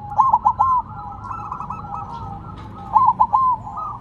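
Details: Silver zebra dove still singing on the ground: a crisp run of three rolling coo notes, a stretch of softer overlapping trills from other doves, then another loud three-note coo run.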